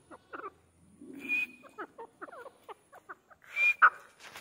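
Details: Grey francolin in training, giving a run of short, harsh, chirping notes that rise and fall quickly, with two loud hissy bursts carrying a thin high whistle.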